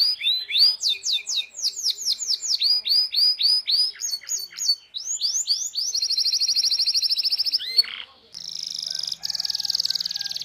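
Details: Canary song used as a tutor recording for young canaries learning to sing, in cuit-cuit and rolling style: fast rising whistled sweeps repeated about four per second, then a buzzy sustained trill and a final dense rattling roll.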